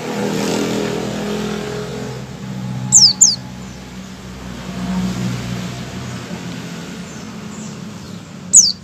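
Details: White-eye's opening call, known as ngecal, before singing: a rapid pair of sharp, high descending notes, then a lone similar note several seconds later, against a continuous low rumbling background.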